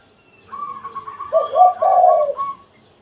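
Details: Spotted dove, 'kuk satu' style used to lure wild doves: a short burst of deep coos overlapping a rapid, even trill from another bird that repeats throughout.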